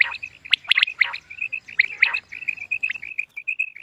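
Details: Common quail calling, used for quail hunting: raspy notes and sharp clicks early, then a long run of short, evenly spaced whistled pips that keep going to the end.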